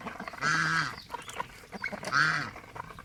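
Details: Pet domestic geese kept alongside ducks: two loud, drawn-out nasal honks about one and a half seconds apart, each rich in harmonics, with faint clucks and scuffling noises in between.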